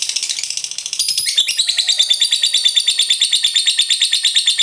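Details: Lovebird ngekek trill, a long chatter played to make rival lovebirds join in: rapid high, buzzy pulses, slightly quieter at first, then louder and steady.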